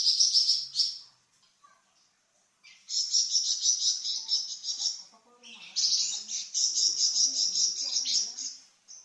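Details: Flamboyan bird, a kept songbird, giving varied song used as a training master for cucak ijo and magpie robin: dense high buzzy trills in two long bursts after a brief opening phrase, with short gaps of near silence.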